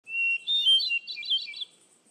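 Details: Hermit thrush (Catharus guttatus) singing in Freetown-Fall River State Forest, Massachusetts, on the morning of October 27, 2015, around 10:05 AM: a clear, steady whistled opening note, then a rapid, flutelike jumble of higher, rippling phrases, quiet setting.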